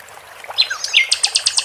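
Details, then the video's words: Flycatcher recorded with trickling water, used as a training recording to provoke other songbirds: thin high sweeping whistles, then a quick series of five sharp repeated chips, over steady running water. "Sikatan Londo di Iringi gmricik air"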